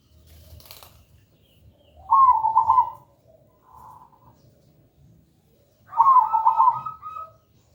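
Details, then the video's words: Zebra dove (perkutut) song offered as a lure to make other birds sing, said to be loud, clear and melodious: two bursty trilled cooing phrases about four seconds apart, with a faint softer coo between them and a quiet background. "Pancingan suara perkutut gacor"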